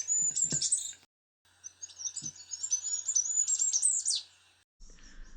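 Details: Goldcrest sings during a dawn chorus on a UK smallholding: very high, thin seeping notes in quick runs that rise and fall, with a brief pause in the middle.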